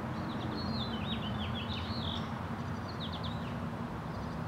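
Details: Broad-tailed hummingbird (Selasphorus platycercus), begging call: chicks begging while being fed.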